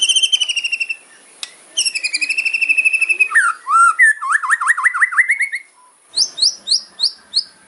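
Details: White-rumped shama fighting song of the kretekan style, loud with sharp phrases aimed at rivals: rapid rattle series, then wavy zigzag whistles, ending with short sharp rising notes repeated about twice a second.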